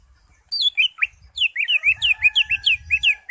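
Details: Green leafbird in lively full song, rich in mimicked phrases and played to prompt a silent caged leafbird to sing. Clear, sweet whistled notes slide down, then a fast run of looping, rising-falling whistles repeats about four times a second.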